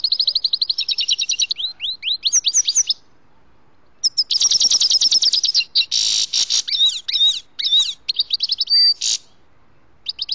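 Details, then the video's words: Grey-headed goldfinch recorded during trapping: fast chattering trill, then descending liquid twitters, a pause, and a dense, loud passage of buzzy, jangling notes and sharp chirps. "ловля седоголовие щегол"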